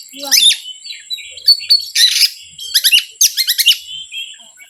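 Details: Oriental magpie-robin song used to provoke rivals. A falling whistled slide is followed by short whistles, a broad harsh rasp and several quick series of sharp downward-slurred notes in close succession, with a thin continuous high tone in the background.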